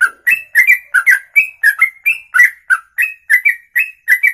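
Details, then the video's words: Ropelan song, a special long rapid song sung in a single breath for over two minutes: an unbroken run of about sixteen loud, sharp two-part whistled chirps, evenly spaced and rising-falling, with no other sounds. "Inilah Ropelan Sekali Nafas 2 menit lebih"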